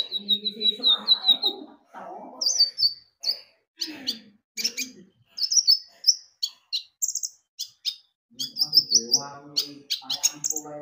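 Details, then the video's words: Energetic Javan white-eye song meant as a lure for birds to sing: a rapid buzzy trill opening, then high clear whistles and chirps in varied phrases, with low chattering notes underneath at times. "Pancingan Kicau burung konin gacor"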